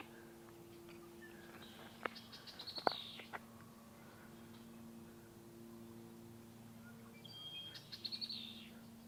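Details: A pair of black-capped chickadees at Sargeant Bay Provincial Park, British Columbia, Canada, on a warm early morning in May give thin, high call notes in two short bursts a few seconds apart, faint over a steady low hum.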